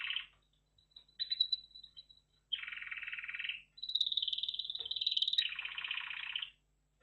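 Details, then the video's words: Red factor canary singing: long rolling trills and buzzy rattling phrases alternating with a sustained high whistled tone, loud and continuous for several seconds with brief pauses between sections. "Red Factor Canary Finch Singing Exhibition"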